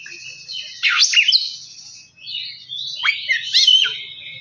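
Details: Song of an Oriental magpie-robin, meant to goad another bird into lively singing: two loud bursts of high whistled notes, each opening with a steep downward sweep and then a sliding, warbling run, separated by a short gap.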